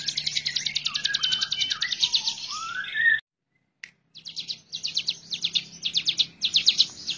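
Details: Hill prinia singing fast, high, buzzy trilled phrases repeated in quick succession, with softer lower whistled notes underneath and a brief silent break midway.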